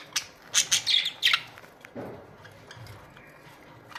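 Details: Australian budgerigars in a colony: a quick cluster of five sharp, high chirps in the first second and a half, then near quiet with faint distant chatter.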